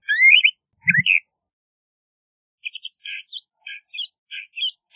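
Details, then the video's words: Two loud slurred whistled notes from a LeConte's thrasher, then after a pause a series of softer, short chirping phrases repeated irregularly. "LeConte's Thrasher Bird Singing, Calling, Chirping - Cuitlacoche Pálido Canto"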